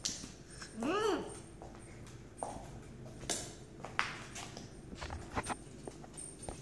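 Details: A captive Harlequin Macaw, said to sing only when its owner isn't looking, gives one rich, wavering note that swoops up and falls back over half a second, then scattered clicks and soft knocks in a quiet room.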